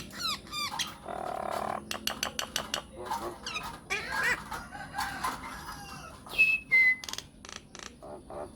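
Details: Myna lure recording meant to make other mynas answer: harsh rasping bursts and rapid clicking notes, then two clear whistled notes near the end, with a faint steady high whine throughout.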